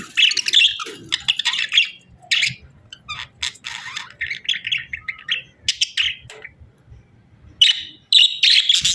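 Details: Budgies chirping as they sing and play, giving bursts of high, scratchy chirps and short warbled chatters, separated by brief quiet gaps, with faint low rumbling in the background.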